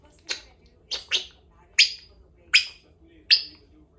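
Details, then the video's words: Two-year-old female pet Congo African grey parrot practising sounds indoors: six sharp, high chirps or clicks spaced roughly every half second to second, each with a quick fading tail; owner's talk heard around it. "African Grey Talking Parrot practicing her words and sounds"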